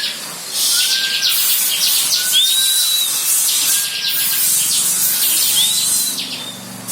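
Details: Tutor song of a bar-winged prinia, 'belalang emas' style, meant for teaching shamas, leafbirds and magpie-robins: steady high buzzing trill with a few clear whistled slurs, some rising, woven through it.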